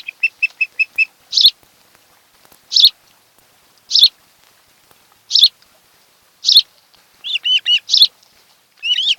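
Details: Osprey nest on Kent Island, Maryland, watched by a nest camera on 26 July 2018, afternoon: a quick run of five short whistled notes, then loud high chirps about every 1.3 seconds, ending in rising whistled phrases.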